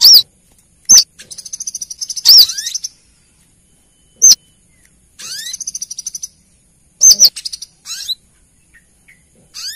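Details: Female brown-throated sunbird calling the male, played as a lure: piercing high arched chirps, some doubled, broken by buzzy high trills of rapid ticks and short upward-sliding thin whistles.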